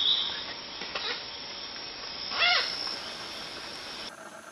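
A Guianan cock-of-the-rock gives one brief, nasal squawk that rises and falls, heard over a steady hiss of background noise.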